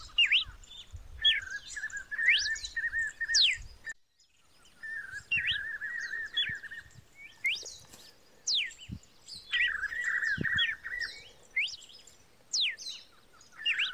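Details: Red-cowled cardinal in continuous song: loud slurred whistles and repeated buzzy warbled phrases, with a brief pause near the fourth second. Some faint low rumble and clicks sit underneath.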